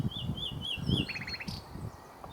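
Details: Singing in the sun, a common nightingale gives warbled, wavering whistles, then a rapid burst of five or six identical clipped notes, with low rumbling handling noise throughout.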